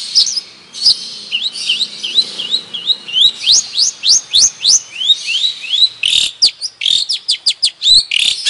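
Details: Long-tailed shrike of the Madura type, offered as a tutor song for songbirds: a rapid, varied stream of high, sharp rising whistles and chirps, many steep upward-sweeping notes, ending in dense clusters of short clicking notes.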